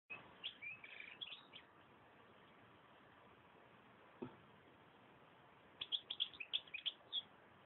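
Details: European goldfinch song: a quick burst of bright twittering, tinkling chirps for about a second and a half, a long pause with one faint note, then another rapid run of sharp twitters near the end, over steady hiss.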